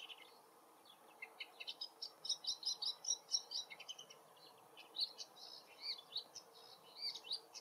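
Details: Woodchat shrike singing from far away in forest habitat: a long, varied, scratchy warble of quick chirps and short whistled notes, rising and falling, with low background hiss.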